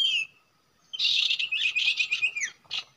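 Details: Common iora at a usual nesting site: a falling whistle, a pause, then a long buzzy chattering phrase ending in a sliding downward note and a short chirp.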